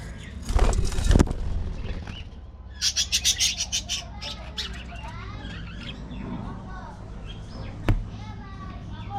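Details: Budgerigars living as a colony in an aviary: loud wing flapping first, then a run of about eight rapid bright chirps, then quieter warbling chatter with another brief flutter near the end.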